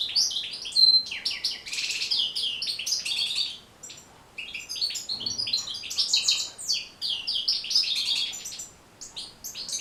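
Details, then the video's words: European goldfinch song for training birds to sing: a fast, tinkling jumble of high twittering notes and buzzy trills, pausing briefly near the middle before resuming. "بتبتة جد مهمة لتحفيظ و تحفيز طيور الحسون على التغريذ"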